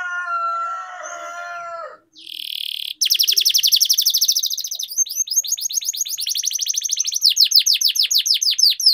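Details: Canary song for prompting idle canaries to sing, ngerol style: after a softer opening of lower whistles and a buzzy burst, a long rapid trill of high chirps runs on, later slowing into separate downslurs.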